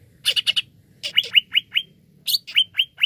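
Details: Lure song of a greater green leafbird (cucak ijo), used to set other birds singing: a quick run of rising, whistled upslurs near one pitch, each repeated about every quarter second, with scratchy chips before them.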